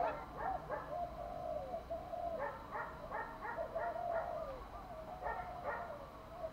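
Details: Spotted dove cooing, meant to excite a male to answer: soft low coos and stretched notes over a steady noisy hiss, several rounded phrases repeated through the recording.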